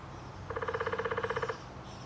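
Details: A Downy woodpecker at Lake Dallas, Texas, drums one steady roll of about sixteen quick, even taps lasting a second, with a resonant ring, over a low background hum.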